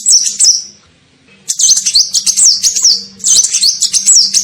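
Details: High twittering lure call of a sunbird, known locally as kolibri ninja, used to draw in birds: fast strings of thin chirps and slurred notes in long bursts, with a faint low hum beneath.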